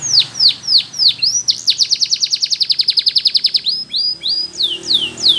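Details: Canary training song for young canaries: loud downward-curving whistles, a rapid rattling trill of about twenty even pulses, then more spaced drooping sweeps, with a soft low background hum.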